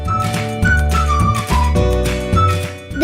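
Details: Loud melodic background music with flute-like notes and a low bass line, no animal voice present.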